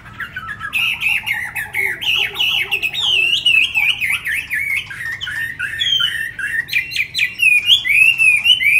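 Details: Chinese hwamei, a tame caged bird in Hanoi, Vietnam, that arrived the evening before, sings a rapid, continuous warble of varied whistled notes that bend up and down and grow brighter and louder toward the end.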